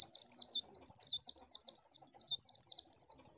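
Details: Oriental white-eye lure song: thin, very high chattering notes, rising and dropping in rapid succession, clipped into many short pulses over a few seconds.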